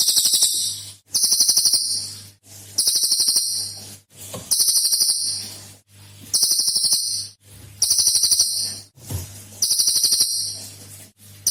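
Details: Senior cililin with a varied song, recorded as a lure for other birds: repeated shrill, fast-pulsed rattling phrases, about eight in eleven seconds, each roughly a second long, with a low hum beneath.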